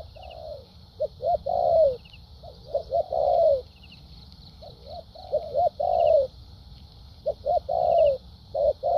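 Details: Spotted dove decoy bird with a structured 'bài bản' song in 'thúc gù' and 'lèo dặm' styles, a dueling bird. Low mellow coos repeat in phrases of short clipped notes ending in a longer downslurred coo, with faint chirps in the background.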